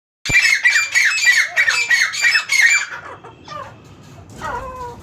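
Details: Captive francolins kept at home, recorded unedited, possibly in Soon Valley, Khushab: a run of harsh, squawky calls about three per second, each with a falling ringing note, fading after three seconds to quieter scattered notes.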